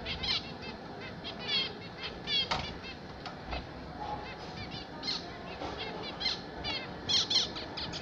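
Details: Several pet zebra finches singing, short nasal buzzy notes repeated in quick clusters over a steady background hiss, with a few soft clicks and thumps.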